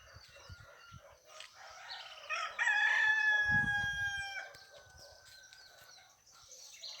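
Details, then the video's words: Dawn crowing of roosters in the northeastern sertão of Ceará, Brazil, heard as a wake-up call: faint distant crows lead into one strong, drawn-out crow near the middle, with a brief low thump and light bird chirping. "meu despertador pra mim acordado sedo e assim no canto do dos galos no meu sertão nordestino ceara"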